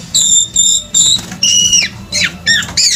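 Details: Orange-headed thrush singing with tail spread and low crouching posture: clear, ringing whistled notes repeated three times, then a long steady whistle that drops at the end, followed by downslurred whistles.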